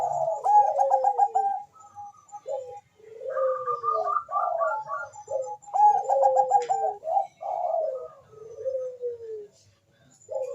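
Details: Bangkok-type zebra dove in full song, meant to stir mating drive and singing: soft, low cooing phrases of quick stuttered notes ending in long descending slurred coos, repeated with short pauses.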